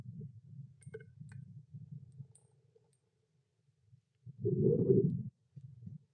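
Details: Low thumps and soft clicking, then a louder muffled rumbling burst near the end, with no clear animal voice heard.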